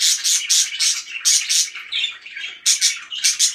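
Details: Parakeet chirping in quick bursts of harsh, buzzy notes, several per second, broken by short pauses, with a scratchy warble in the middle.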